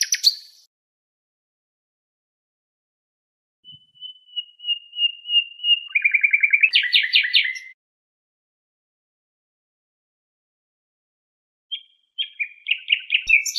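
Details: Nightingale song on a birdsong tape: a slow series of pure whistled notes swelling in loudness, breaking into a fast rattling trill, followed after a pause by chattering repeated notes; quiet otherwise.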